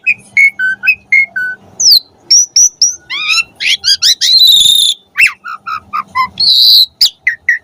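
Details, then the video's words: Asian pied starling in full variety song for training pet birds: clear whistled notes stepping downward, then rising slurs, rapid chattering, a long harsh rasp and a final burst of mixed squeaks and whistles. "Suara Jalak Suren Gacor Full Variasi"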